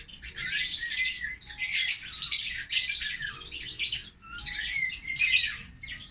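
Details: Caged African lovebird siblings, tame aviary pets, chatter in noisy bursts of harsh, high squawks laced with brief upslurred whistles, with short pauses between the busy phrases.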